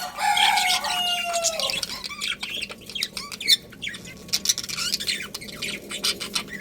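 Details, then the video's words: Budgerigar colony, many birds calling together: a long falling harmonic crow-like note at the start, then rapid scratchy chirps and short squawks scattered through the rest. "Cute Budgies Chirping Sounds"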